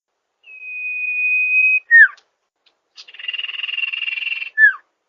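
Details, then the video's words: Sirpu or Sirdung bird song used as a lure: a long steady high whistle, a quick downward slurred note, then a pulsing buzzy whistle held over a second, closed by another falling slur. No other sounds. "Suara Burung Sirpu/Sirdung untuk Pancingan ampuhh"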